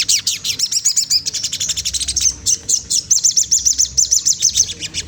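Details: Oriental magpie-robin song used to provoke a rival: a fast, steady series of high, sharp chipping and twittering notes, repeated several times a second with slight variation, loud and continuous throughout.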